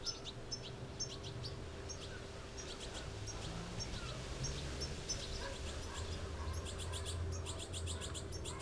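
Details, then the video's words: Young goldfinches begging while adults feed them, giving scattered high chirps that swell into quick, dense twittering runs near the end, with a constant low hum underneath. "Goldfinches feeding their young"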